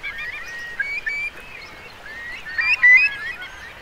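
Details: Eurasian curlews roosting by the thousands in the wet meadows of Marquenterre, Bay of Somme, during a big high tide on 7 October 2021. Clear whistled calls rising in pitch, several overlapping, louder towards the end.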